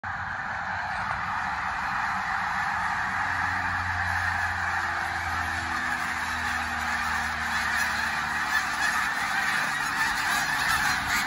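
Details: Snow Goose flock flying over on the Eastern Shore: a dense, unbroken chorus of overlapping nasal honks from many birds, with a low droning rumble beneath toward the middle of the passage.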